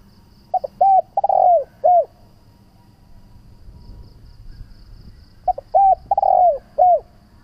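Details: Spotted dove calls intended to attract doves and coax them into calling: two matching cooing phrases separated by a long quiet gap. Short notes lead into a lengthy falling croo, then a last coo.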